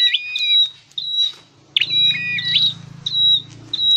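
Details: Caged scarlet-headed flowerpecker in song training mixes piercing high steady whistles with lower gliding notes. The short bursts are repeated quickly and unevenly, with a low hum in the middle section.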